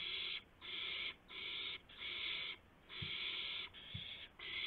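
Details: On 2 April 2016 at 2:51 AM, with a gopher brought in, an owl gives strong, breathy screeching hisses, each lasting around half a second to a second, in a steady series with brief pauses.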